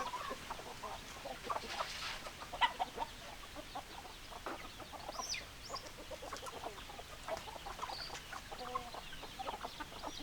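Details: Hens clucking softly in a flock, with scattered short clucks over a hissy background and a few thin higher squeaks from other birds partway through.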